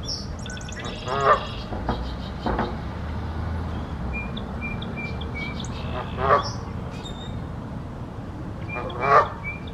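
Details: Singing male Song Sparrow near the recorder in spring, Ottawa, April 2023: a rapid high trill opens, then scattered thin notes and phrases, with occasional low knocks and constant background hum.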